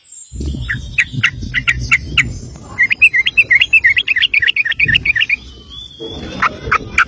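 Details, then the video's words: Sooty-headed bulbul in a long 'ropel' song for use as a training master. Scattered sharp chirps over low rumbling build into a quick, even string of bright rippling notes, then more spaced chirps. "Trucuk Ropel panjang cocok buat masteran burung anda!"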